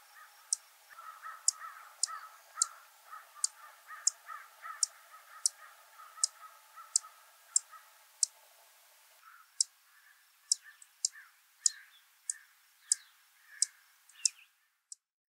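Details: Savannah sparrows in breeding season at Heaven Hill grassland near Lake Placid, Essex County, Adirondacks, 19 June 2023, give short, dry, thin, very high chip notes, one to two a second, with softer lower chatter early on.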